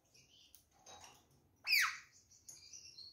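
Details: While a caged rose-ringed parakeet pair eats apple and orange, one loud harsh screech slides steeply downward, followed by softer thin notes and faint clicks.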